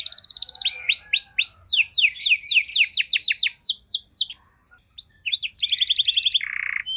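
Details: Canary trilling as a lure for canaries lacking condition: a buzzy opening, a run of loud descending sweeps, a brief pause, then quick chips, a fast rattle and a short lower buzz.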